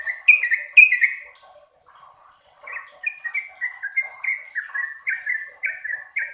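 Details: Yellow-vented bulbul giving a short whistled phrase, falling quiet, then launching a long run of rapid down-slurred whistled notes, bright and chattering, over a faint high steady tone.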